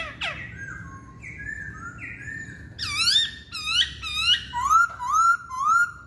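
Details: Chinese hwamei song: clear whistled notes that slide downward, then loud rising and falling whistled phrases repeated about twice a second, ending in bright upslurred whistles in a quiet room.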